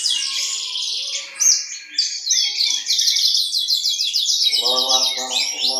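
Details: Song of a Horsfield's bushlark from East Java: shrill buzzy trills and rapid repeated chirps, joined near the end by a lower, harmonic rasping sound.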